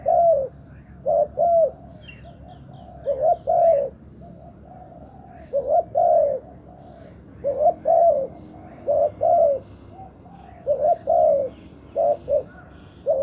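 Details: Spotted dove used as a decoy to lure wild doves, uttering a long run of paired soft coos at a steady pace, with brief high chirps from another bird early on.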